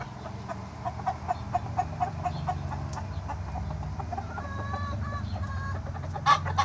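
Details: Chickens and roosters enjoying summer; a run of evenly spaced clucks, roughly two per second, then longer drawn, slightly wavering calls and a sharp squawk near the end, over low background hum.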